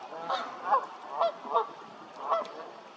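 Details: Rapid series of five harsh, nasal honks from a Canada goose within three seconds, spaced about half a second apart.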